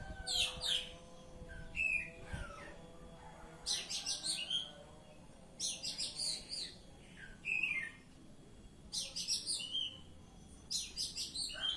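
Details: Ngeplong-style song of an Oriental magpie-robin: a series of bright, scratchy phrases roughly every two seconds, some ending in short whistled downslurs, with quiet gaps between.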